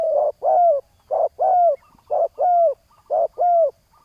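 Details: Spotted dove calling at a ground decoy setup meant to draw in a rival: rhythmic paired coos, a short note then a longer curved one, repeating roughly every second.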